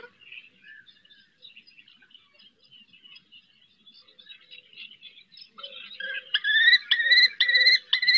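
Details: Female common kestrel calling her fledgling from a roof during its first flights at Riet Vell reserve in the Ebro Delta. Faint scattered chirps at first, then loud, clear, rising shrill notes repeated about twice a second toward the end.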